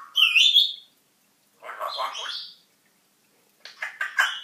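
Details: Pet African grey parrot talking and singing indoors, new to its home: three bursts of speech-like chatter, the first high and whistled, the later ones broken and raspy, separated by silence.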